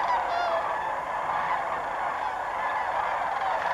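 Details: Sandhill cranes in flight at the Bernardo Waterfowl Management Area north of Socorro, New Mexico: rolling, trilled calls rich in overtones, strongest in the first half second, then a dense distant chorus over a steady wind-like hiss.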